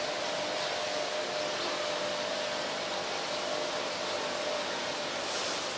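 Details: Only a loud, even hiss of broadband noise, like a fan or strong wind, runs throughout with no animal calls.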